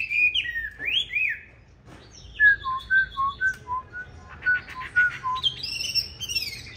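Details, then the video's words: Competition song of a green-bean-eye Chinese hwamei, used to train others to sing smoothly: a few looping whistles, then a spaced series of short, lower whistled notes, ending with high, bright warbles. "Họa Mi Mắt Lục Đậu Thanh Hót Đấu ( Dùng luyện Mi hót bài êm không gắt )"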